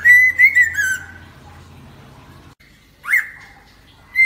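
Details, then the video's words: Lesser necklaced laughingthrush song used to lure birds for trapping: a few rich whistled phrases, then a long pause and a single rising, swooping whistle, with a low hum early on. "Khướu cổ khoang hót để bẫy"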